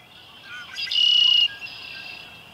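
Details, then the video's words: Red-winged blackbird at Humboldt Park: a few soft introductory notes, then a loud, harsh, buzzy trill held about half a second before cutting off abruptly. "Red-winged Blackbird"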